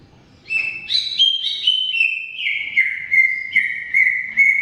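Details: Greater green leafbird (cucak ijo) in lively, long 'gacor' singing, used to prompt leafbirds that have stopped singing. Rich whistled phrases step down in pitch, then steady repeated clear whistles follow about every half second.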